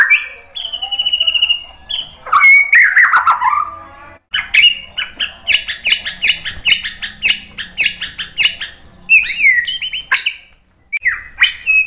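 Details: White-rumped shama song used to stir other birds into answering: a whistled trill, loud descending chatter, then a long series of repeated buzzy notes and a final clear whistle.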